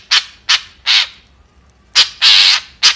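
White-breasted woodswallow giving harsh, buzzy, high-pitched notes, three quick ones then a longer rasping burst and another short note, with no other sounds.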